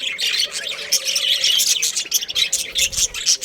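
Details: Busy high-pitched chirping and scratchy warbling from a breeding pair of budgerigars, the Australian parrots. It runs almost without a break, with bright squeaky accents near the end.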